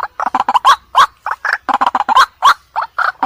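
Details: White-breasted waterhen lure call for night trapping: choppy, nasal croaking notes in quick irregular succession, several louder twanging notes standing out among the softer ones.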